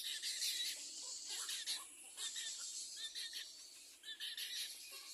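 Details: Little egret chick begging its mother for food: harsh, raspy chattering bursts, irregular, roughly one each second, some run together, over a steady high hiss.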